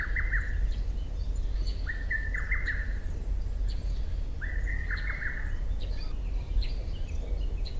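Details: Lesser cuckoo at dawn after 4 am in June, captured through a Sony PBR-330 reflector and ECM-CS3 mic; three strong, clipped phrases of several falling notes, repeated roughly every 1.5 seconds, with faint higher chirps from small birds behind.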